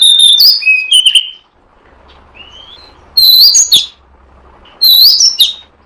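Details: Lure recording of an oriental magpie-robin used to draw in birds for catching: bright, fast whistled notes and sweeping slurs in three separate bursts, with quiet gaps between them and a faint low hum in the background.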